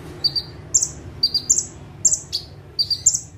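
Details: A bar-winged prinia perched in one place sings in full bursts. Quick doubled high chips alternate with brighter buzzy notes in a steady stream, about six phrases in three seconds, with faint low background rumble.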